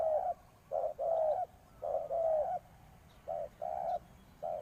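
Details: Decoy spotted dove used for luring wild doves, giving low cooing phrases: a short coo followed by a longer, slightly falling coo, repeated about four times in quick succession against a quiet background.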